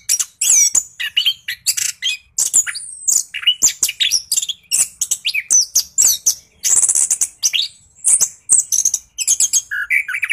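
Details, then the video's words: Orange-headed thrush pouring out a rolling 'ngeroll' song used to trigger quiet thrushes; crowded sequence of piercing whistles, rapid trills and scratchy notes, ending with a few lower whistled phrases. "PANCINGAN SUARA ANIS KEMBANG GACOR NGEROLL , JITU RANSANG ANIS KEMBANG MALAS BUNYI LANGSUNG NYAUT"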